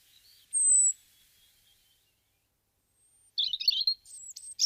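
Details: A European robin (Erithacus rubecula), recorded in February 2010 in Guadalajara, Spain, sings high, thin notes: a pure drawn-out whistle, a pause, then a quick jumble of liquid trills and squeaky notes.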